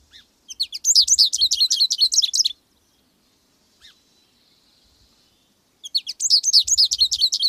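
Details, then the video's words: American goldfinch singing bright, rapid twittering phrases, a two-second bout, a lone chip, then another bout starting, with faint low knocking sounds beneath. "American gold finch"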